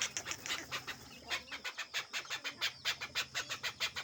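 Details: Tame male desi chukar let loose outdoors, calling a rapid run of sharp clucking chuk notes, about five each second, steady and rhythmic across four seconds, with faint background hiss.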